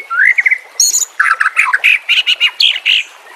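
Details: White-rumped shama song used to train caged birds, combined fill: a rising whistled slur, then a dense run of scratchy, buzzy chips repeated rapidly in varied pitch.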